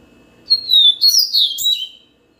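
A Yellow-bellied Seedeater gives one quick, high warbled phrase of sweet slurred notes lasting under two seconds, against a quiet background.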